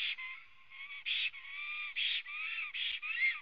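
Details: Adult black stork singing on arrival at a Latvian nest on a June morning in 2017, heard through a webcam: loud raspy bursts between long, level whistled tones, in a steady alternating rhythm.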